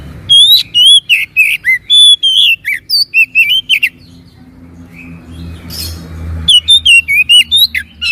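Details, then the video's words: Oriental magpie-robin song serving as a lure for a bird that is slow to sing. Quick varied whistles and slurred notes fill the first four seconds, then a quieter interval with low background rumble, then another lively burst of whistled phrases. "PANCINGAN BURUNG KACER MALAS BUNYI DIJAMIN NYAUT"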